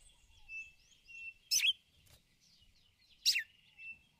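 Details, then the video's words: Red-cowled cardinal female calling the male: two abrupt, explosive chips about two seconds apart, set against a soft, steady high whistling and quiet twitters in the background. "Fêmea de galo de campina chamando e macheando ticulau pra esquentar o macho"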